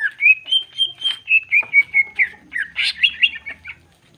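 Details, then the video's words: Greater green leafbird in full, active song, meant as a provocation to stir other leafbirds and showing off its learned fill material: a quick run of clear whistled notes, about thirteen in four seconds, slowly falling, then a burst of richer, harsher notes. "Cucak ijo gacor jamtrok Nembak bongkar isian. Pancingan emosi cucak ijo dijamin emosi"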